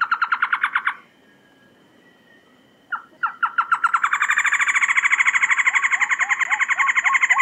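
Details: Trogon rattling in quick pulses, falling silent for two seconds, then resuming with downslurred notes that swell into a long, dense, buzzy chattering series with a high thin overtone.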